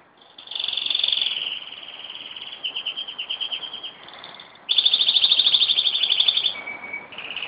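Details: Canary kept at home in Jeddah, singing on 26 September 2008 while its owner encourages it. Long high rolling trills alternate with a lower slurred phrase, a burst of fast bright pulses and a short low whistle.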